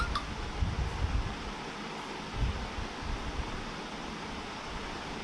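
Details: Steady mechanical fan hum in a small indoor room, low rumbling throughout with faint rustles and a brief clink near the start, no clear animal voice.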